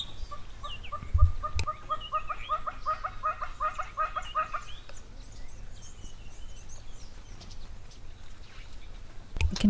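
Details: A hornbill calls at an African waterhole on 6 December 2025, giving a quick run of about fifteen even, clucking notes over four seconds, then stopping; steady low wind rumble and a couple of knocks underneath.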